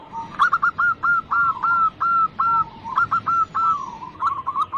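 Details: Local zebra dove singing to draw other birds into song. A steady chain of clear, slightly downslurred notes is followed by a quicker bubbling trill at the end.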